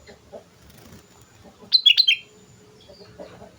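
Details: Sooty-headed bulbul singing lively as a lure: a brief burst of three or four quick, bright, bubbling whistled notes between soft low rustling and faint background noise.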